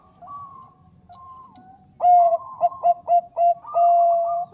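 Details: Bangkok zebra dove song for luring other birds: soft level coos, then a loud rhythmic series of short clipped notes ending in a sustained steady coo.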